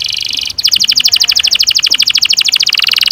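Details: Canary giving a long roll, recorded to teach young canaries to sing. A high buzz gives way to an even, rapid pulsing trill sustained for several seconds.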